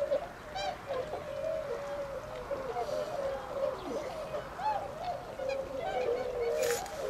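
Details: A wintering flock of tundra swans in Azumino, Nagano Prefecture, Japan, 22 February 2013, leaving the Otakara-da flood pond to feed in rice fields. A steady, soft chorus of mellow honking calls with a few louder yelps.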